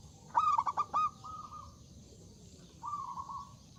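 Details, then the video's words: Zebra dove with a big voice, singing to invite rivals: a brief run of four sharp stuttered coos, then softer sustained wavering notes fading out. "Suara Burung Perkutut Gacor Suara Besar Mengundang Lawan Bunyi"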